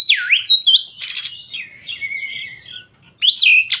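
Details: Kacer poci, an Oriental magpie-robin kept as a songbird in Indonesia, in agitated full song: a deep swooping whistle, rising slurred notes, a harsh buzzy burst, a long steady whistle, then a sharp rising flourish.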